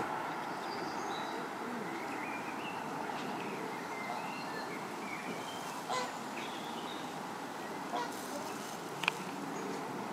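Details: Greylag geese at Benbow Pond, Cowdray Park, West Sussex give scattered nasal honks over a steady rushing background, with a few sharper calls near the end.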